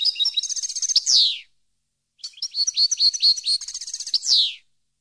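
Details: A European goldfinch sings for tutoring captive birds: two phrases of rapid, jingling high notes and trills, each ending in a rasping, falling buzz, separated by a short silence.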